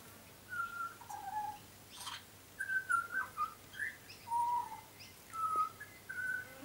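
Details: Song of a young, tame butcherbird that regularly visits a garden: mellow whistled notes, level or gently bending, delivered singly and in quick pairs with irregular gaps over about seven seconds.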